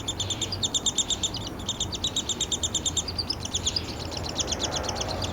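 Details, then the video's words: Begging downy woodpecker nestling at feeding time with its father, recorded July 12, 2026 in a yard in Lethbridge, Alberta, Canada; quick, shrill, repeated chirps roughly three per second, slightly uneven, over a low steady murmur. "Downy Nestling Noise (while being fed by his father-bird)."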